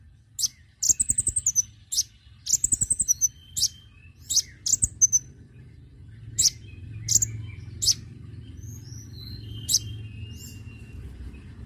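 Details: Lure recording of konin for attracting birds: sharp high chirps and two rapid rattling trills early on, then scattered thin squeaks over a steady low hum.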